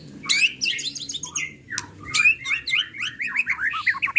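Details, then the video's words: Murai batu of the 'pastol' type, the white-rumped shama, in an original lure song: dense, fast jumbles of high chips and slurred whistles in two rapid outbursts, each building to quick rising notes. "Pancingan Murai Pastol Emosi & Bongkar Isian"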